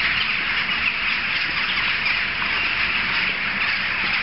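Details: A large gathering of jackdaws, audible from several streets away, fills the air with a dense, unbroken chorus of harsh overlapping calls, steady in loudness throughout with no pauses.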